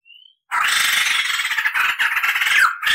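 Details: White-crested laughingthrush on a song-training tutor recording with long rolls and cackling: a short thin whistle, then a loud unbroken grating chatter with a downslurred note near the end.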